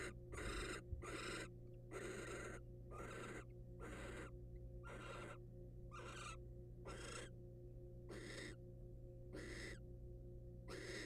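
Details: Wild barn owls in a monitored nest box as the male delivers a mouse to the female; harsh, noisy screeching hisses repeated roughly once a second, about ten bursts, with a constant low electrical hum beneath.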